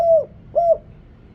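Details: Two soft, arched, low coos half a second apart from a deep-voiced Thai decoy spotted dove used to call in wild doves.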